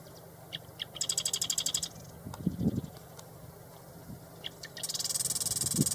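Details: Marsh wren singing: two high, rapid, rattling buzzy trills of about a second each, separated by a few short ticks, over a steady low background rumble.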